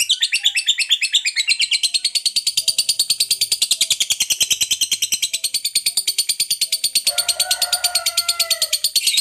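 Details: Fighter lovebird in long ngekek song, used to excite other lovebirds: opening with quick squeaky notes, then a relentless high chattering trill of rapid pulses that holds for many seconds, with faint softer chirps late on.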